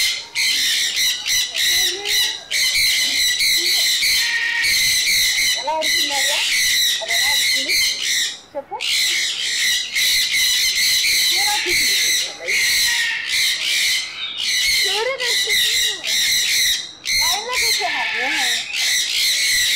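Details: A chorus of sun conures screeching almost without pause: rapid, raspy, piercing bursts repeated in quick succession for long stretches, one short silence midway, and faint lower warbling sounds underneath.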